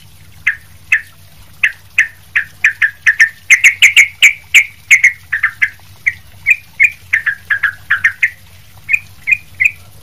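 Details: Lively, noisy sooty-headed bulbul kept as a tutor for training other bulbuls; steady run of short, sharp chirps about three per second, briefly speeding into a tight cluster of clipped notes before slowing into evenly spaced chirps.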